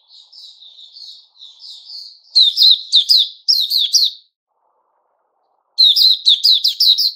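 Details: White-rumped shama (puteh raja) singing 'buka' song, 29 August 2021. Soft high warbles build into loud bursts of sharp, rapid whistled notes. After a silent pause of over a second, a fast loud volley follows.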